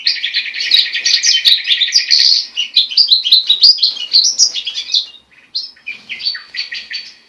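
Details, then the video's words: Goldfinch crossed with linnet, a hybrid bird, delivering rich twittering song with rolling trills and buzzy chirps, pausing briefly near the end before resuming with sweeping whistled notes. "carduelis carduelis x carduelis cannabina"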